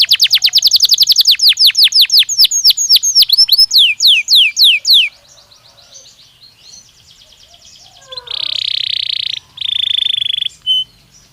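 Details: Belgian canary in a training stimulus recording: a quick trill of sharp descending whistles that gradually slows and breaks off, a quiet pause with soft twittering, then two harsh buzzy bursts.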